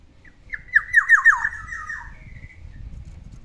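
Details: Pet black-naped oriole in the morning giving four sharp, emphatic downslurred whistles in quick succession, trailing into a softer falling whistle, with a low rumbling background.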